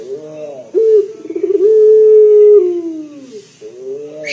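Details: A local collared dove with a big bassy voice, used as a singing lure, gives a low wavering murmur, then a sudden rising note, rapid pulsing and a long level coo that drifts downward.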